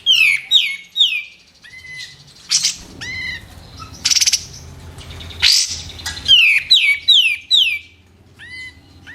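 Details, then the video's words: Busy White-eared bulbul song used to train competition songbirds: repeated loud whistles that swoop downward, broken by harsh noisy bursts, with quieter twittering between phrases. "KAPAS TEMBAK GACOR RAPAT"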